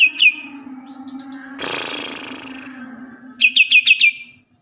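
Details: A green leafbird from Kalimantan opens with two sharp notes, gives a long harsh grating rasp, then ends with five quick, bright, downslurred whistles, with a steady low hum throughout.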